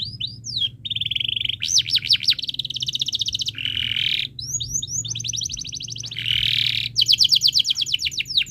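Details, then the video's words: Canary singing a tutor song for young birds to learn, varied phrases of fast buzzy trills, looping up-and-down whistles and rattling note series, switching every second or so, over faint low hum. "Suara Burung Kenari ● Masteran Kenari Paud Belajar Bunyi | Kenari Gacor Cuit Cuit Panjang"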